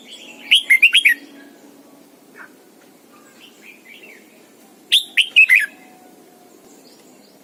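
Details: Caged decoy red-whiskered bulbul singing its morning song in the double-note style of an old wild bird, used to train other bulbuls: two bursts of five or six quick slurred, warbling notes about four seconds apart, with soft chirps between.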